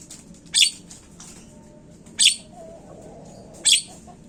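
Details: Asian pied starling heard in a lure recording meant to get the birds calling fast: three harsh, grating notes roughly one and a half seconds apart, faint ticks and a thin tone between, steady low background noise.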